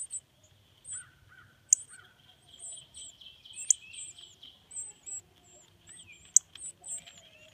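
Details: Nestling cardinals at the nest while the parents feed them: high, thin squeaky calls come in uneven clusters, with occasional sharp clicks and a steady high hum in the background.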